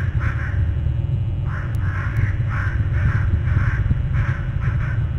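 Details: Stirred-up crows near an eagle nest area, live, calling loudly: a rapid series of harsh, grating caws repeated about twice a second throughout, over a heavy low rumble of wind or background noise.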